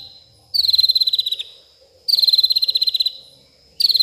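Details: At night an agitated white-rumped shama delivers learned song material: two and a half rapid, chattering pulsed bursts, each about a second long and slightly falling at the start, separated by near-silent pauses.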